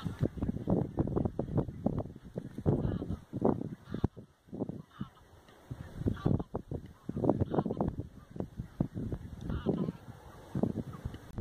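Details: Lesser white-fronted geese, a wintering flock in the Oudeland van Strijen, Hoeksche Waard, Netherlands, on 9 February 2022, call in a steady run of short, nasal, overlapping honks from many birds, with a brief lull midway.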